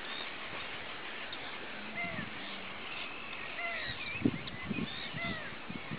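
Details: Mediterranean gull with a white ring, recorded 14 May 2010, giving nasal downslurred calls about every one to two seconds amid a background of many more distant gull voices and low thumps.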